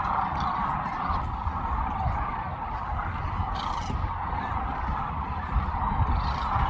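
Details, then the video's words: Before sunrise on the Platte River at Kearney, Nebraska, groups of sandhill cranes take off in the dark and fly overhead; distant rolling calls sit over a steady low rumble of wind and background noise. "are big groups of cranes taking off all the time and you can hear them like flying straight overhead you can see them but there's no way we could get a shot for you"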